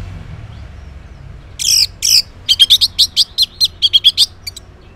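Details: Morning ngeplong song of an orange-headed thrush, meant to prompt silent males to reply: two loud buzzy bursts open, followed by a rapid run of about a dozen sharp, evenly spaced chips.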